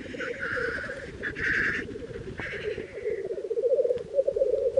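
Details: Black grouse (Lyrurus tetrix) at the lek, an hour before sunrise as birds arrive, keep up a low, dovelike bubbling that rolls on without a break, cut by a few harsher hissing bursts higher up.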